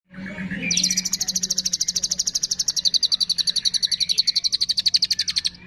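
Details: Long-tailed shrike training song with fill-ins imitating cililin, fighting sparrow, lovebird, tengkek and kapas tembak: a fast, high buzzy trill of clipped notes, about four per second, held steady for several seconds after a brief lower chatter.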